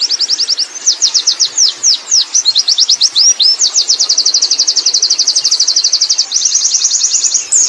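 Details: Oriental white-eye of the wild type (pleci ngalas) in an extended ngerol song: fast high notes, a burst of downward-sweeping slurs, then a long, very rapid, even rolling trill continuing to the end.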